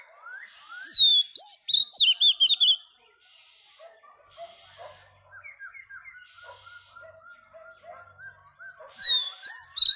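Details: Female Oriental magpie-robin singing to stimulate males: bursts of loud, high, sliding whistles and quick twittery notes. A quieter stretch of softer chirps and short whistles follows, then another loud whistled burst.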